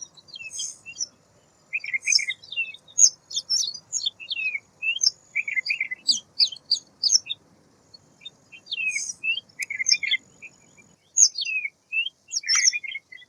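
White wagtail giving sharp, high chirps and twittering notes in quick bursts, pausing briefly mid-sequence before resuming; nothing else heard.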